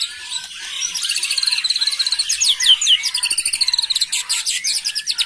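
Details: Agitated young white-rumped shama pouring out a continuous high, rapid chatter of repeated sweeping notes, dense and unbroken for the whole stretch.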